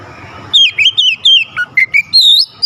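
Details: Oriental magpie-robin in full song, used to excite a lazy bird into singing: a rapid series of clear, varied whistles, some rising, some falling, ending in a long bright whistled note.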